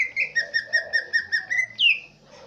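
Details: Green leafbird from Aceh Tengah singing a swiftlet-mimicking song: a run of about nine quick, buzzy, chirping notes, each with bright overtones, ending in a sharp descending whistle. Soft low cooing sounds in the background.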